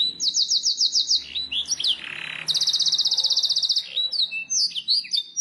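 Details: A canary sings a tutor song in bursts of high, fast trills, with long rolling rattles broken by sharp chirps and short buzzy notes.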